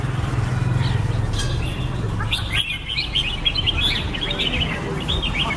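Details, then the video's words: Red-whiskered bulbul: low hum at first, then a rapid rush of sharp chirps and whistled slurs running densely through the second half. "Birds Red-whiskered bulbul (Pycnonotus jocosus) Chants Extreme Peak"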